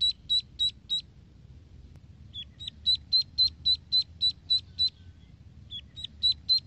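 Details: Ducklings swimming in a pool peep in quick bursts: high, clean, slightly rising notes about four a second, with short pauses between runs and a low hum beneath.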